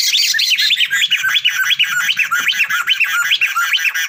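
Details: Sunda laughingthrush, male and female: a fast, steady stream of clear looping whistles, each note sweeping up and down, repeated about twice a second over faint low tapping.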